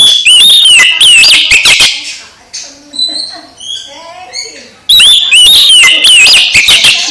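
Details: Oriental magpie-robin song meant to make a quiet, sulking magpie-robin start singing again: loud, distorted whistled phrases with sweeping slurs at both ends, framing a softer stretch of short, clear, repeated whistled notes.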